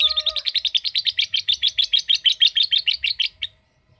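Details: Lovebird giving a long trilling song, known locally as ngekek: a rapid run of harsh, chattering chirps, about three per second, sustained for roughly three and a half seconds before stopping abruptly.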